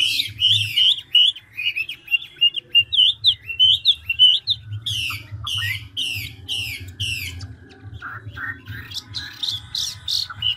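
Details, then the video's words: Chinese hwamei in ngũ trường style, a big mature bird taken from the forest, changing voices quickly and continuously: rising whistled notes repeated in a fast series, then a run of sweeping slurs and lower rough notes, with a faint low hum. "Họa mi ngũ trường đảo giọng tốc độ"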